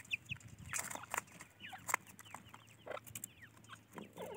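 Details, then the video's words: Francolin chicks giving rapid, high thin peeps and chirps, many short notes overlapping throughout, with some louder broadband knocks and rustling in the background. "teetar ke bacche | teatar chicks | francoline baby"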